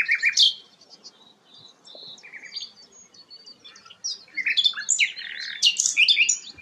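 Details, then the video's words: Melodious song of a sikatan londo flycatcher, used as a tutor for magpie-robins: a loud opening phrase, scattered soft whistles, then a rich jumble of varied high notes. "burung sikatan londo gacor"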